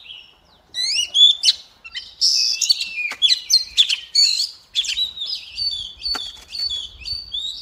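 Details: Female white-rumped shama singing to trigger song in males: bright sliding whistles and rapid chattering phrases, then a series of evenly spaced short high notes toward the end.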